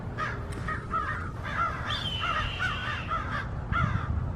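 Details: Several American crows mob a red-tailed hawk perched in a tree, trying to drive it off. They give harsh, hoarse caws in quick overlapping bursts, about two a second, with a thin drawn-out higher screech midway and a low background rumble.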